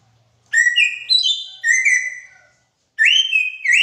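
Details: Greater racket-tailed drongo, known as a mimic, pours out loud, clear whistles: rising and stepped phrases, then a long level whistle ending in an upslur.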